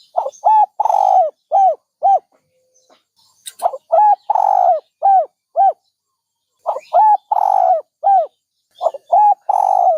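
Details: Rhythmic dove cooing: phrases made of short hollow coos around one long falling coo, repeated three times in ten seconds, with a brief click between phrases and quiet surroundings.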